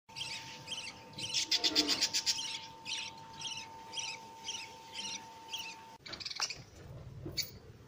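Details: Newborn lovebird chicks begging as their mother feeds them: rapid high chirps repeated about four times a second, swelling into a louder burst, with a steady electrical hum and a clatter near the end.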